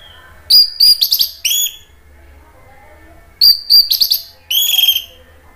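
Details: Orange-headed thrush song used as a lure to make other thrushes respond: two bursts of sharp, high chirps and slurred whistled notes, each group of four phrases lasting about one second, separated by a pause of nearly two seconds.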